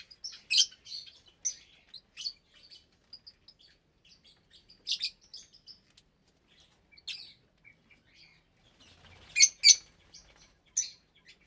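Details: Caged lovebird colony of roughly 25 birds in an aviary at meal time, January 2023: loud, harsh, high-pitched chirps in irregular clusters, several sharp squeaks overlapping, with quiet gaps between bursts. Colour varieties include parblue, euwing, opaline, lutino and albino.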